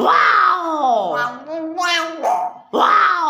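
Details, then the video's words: Young Common hill myna chattering in rich, voice-like phrases that slide down and up, sounding much like human words, with a brief pause before another phrase. "BURUNG BEO MUDA GACOR"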